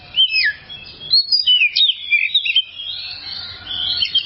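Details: Oriental magpie-robin tutor song: a sharp downslurred whistle, then a lively sequence of high chirps and twisting whistles, ending in a softer trilled warble.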